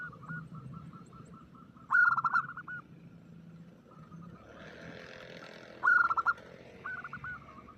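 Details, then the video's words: Female zebra dove calling for a male in an omyokan lure: a run of soft, regular coo notes, then loud stuttering bursts near the start and end, with a rushing wash of noise midway and a low hum throughout. "suara pancingan perkutut omyokan"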